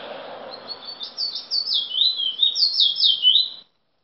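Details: A chestnut-bellied seed finch, locally called bullfinch, sings in Chaguanas, Trinidad, in 2017: a rich, fast warble of sliding whistled notes lasting about three seconds, over a faint low hum.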